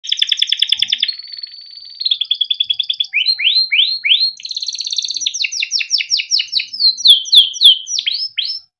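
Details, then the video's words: Timbrado canary singing a melodic training song: fast pulsed trills, a steady sustained whistle, then rapid series of downward-sweeping notes and varied chirps, all high-pitched and clear with no other sounds. "Timbrado canary singing beautiful melodic songs for training"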